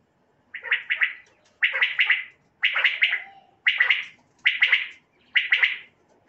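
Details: Common quail lure call for night hunting. Six evenly spaced bursts, each three rapid raspy pulses, sound about once a second against silence.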